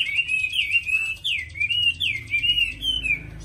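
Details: Chinese hwamei in a cage in Vietnam, praised as a frequent singer with a beautiful voice, giving sweet looping whistles with several sharp downslurred notes, over faint low hum.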